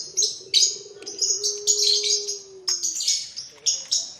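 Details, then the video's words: Well-fed young puter pelung Barbary doves. A low coo starts with a quick flutter, then stretches into a long smooth note that slowly sinks. Choppy high chirping from other birds pulses above it. "bikin rame sudah pada kenyang anakan puter pelung"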